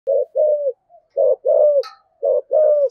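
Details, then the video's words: Spotted dove singing in the 'thổ' voice style with urging coos, used to provoke wild doves into answering: low hollow coo notes in paired bursts, about three phrases in three seconds, with a faint higher note near the end. "cu gáy giọng thổ thúc gù cực đỉnh, tiếng chim cu gáy kích bổi hiệu quả"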